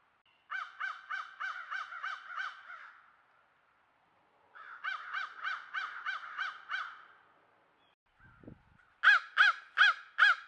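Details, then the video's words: Crows making a bunch of noise at a watering hole near a country home, caught on a trail camera: three bursts of harsh, evenly spaced caws, six or seven per run, the last run louder and quicker, with a brief low thump between. "Crows At Watering Hole Making Noise"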